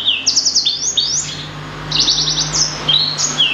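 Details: Blacksang, a blackthroat and sanger cross, producing quick clustered trills of very high notes alongside longer gliding whistles, in two bursts separated by a brief softer moment.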